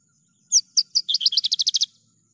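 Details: Javan bush lark song: three spaced high chirps, then a quick rolling trill of about ten clipped notes, over a faint steady high whine.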